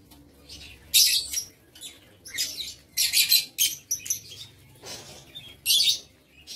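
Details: Aviary lovebirds on 7 April 2023 producing sharp, scratchy high chirps in irregular bursts, some quick pairs of notes, with quiet spells between.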